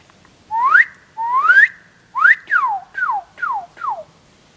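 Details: A Northern Cardinal in a backyard in spring gives clear, slurred whistles: two long rising notes, two shorter rising ones, then three quick falling slurs, each about half a second apart.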